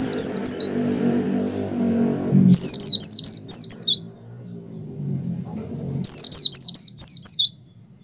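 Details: Wild Oriental white-eye in heightened breeding mood, its high-pitched chattering strophes arriving in three bursts of rapid downward-sliding notes, each about one and a half seconds, with a low engine-like rumble filling the pauses.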